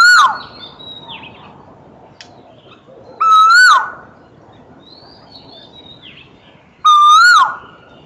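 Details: Singing Asian koel, Eudynamys scolopaceus, gives three loud whistled notes about three and a half seconds apart, each rising gently then falling abruptly, while other birds add faint, high chirps between them.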